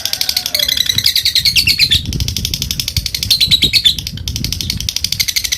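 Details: Lovebird provoking rivals with continuous fast high chattering notes, slight pitch wavering, with some low room thumps underneath.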